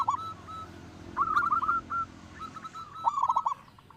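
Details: Local zebra dove with a strong voice, used as a lure: soft drawn coos, a quick rippling phrase, then a louder stuttered coo burst near the end over low background hum.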